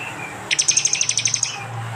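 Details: East Javan prinia in loud 'tembakan' style, phone-recorded for songbird training. A single one-second burst of about a dozen rapid, high, bright ticks sounds over a faint low hum.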